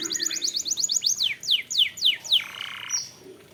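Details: Canary singing on a recording used to draw other canaries into song: a fast series of steeply falling whistled sweeps repeated about four times a second, ending in a broad buzzy note.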